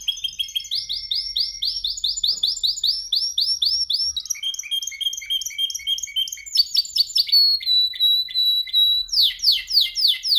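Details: Male canary in song training, said to make listening canaries sing at once. Rapid repeated trill tours change every second or two, moving from rolling chirps to faster buzzy rattles and ending in loud, sweeping repeated notes. A faint low hum sits underneath.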